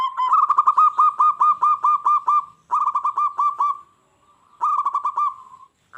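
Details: Local zebra dove singing energetically, sound that sets wild doves answering and attacking each other; three bursts of rapid, rhythmic low coos, the first run about ten notes long, with short silent gaps.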